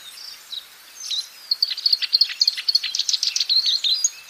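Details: Wild black-browed reed warbler singing vigorously, its melodious song a run of high, rapid chattering notes that start sparse and quicken into dense, scratchy repeated phrases after about one and a half seconds.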